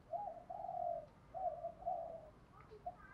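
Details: Spotted dove using the 'thổ pha đồng' fight-urging song to train newly caught birds: soft, distant low coos in a string of four drawn-out notes over steady background hiss, with faint higher notes near the end.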